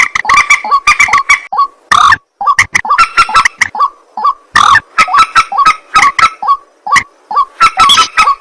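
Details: White-breasted waterhen calling at night: a loud, dense run of harsh, croaking grunts and clipped nasal notes, repeated rapidly in bursts with short pauses, some notes carrying a ringing tonal edge.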